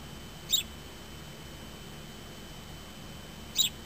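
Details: A house sparrow, as the owner believes, perched on a parked car's door window, a spot it visits daily for hours while tweeting, gives two brief, high chirps about three seconds apart over a faint, steady hum.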